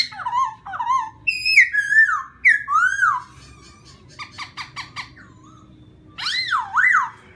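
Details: A laughingthrush sings to provoke a rival bird: varied ringing whistles, some falling and some wavering, then a train of short clipped notes and a closing pair of looping whistled phrases.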